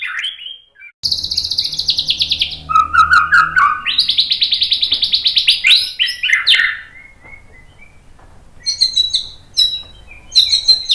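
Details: Shama lure and training song, used to rouse other birds into song. A buzzy, high trill and low rapid chatter lead into a dense run of quick, piercing notes. The singing then fades into a quiet spell before brief, sharp high flourishes return.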